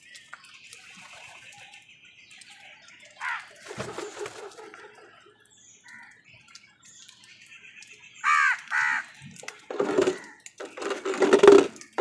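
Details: Crows fighting with wild birds for food: harsh, nasal caws, a few early on, then louder clipped caws around the middle and a run of drawn-out caws near the end, over faint twittering from small birds.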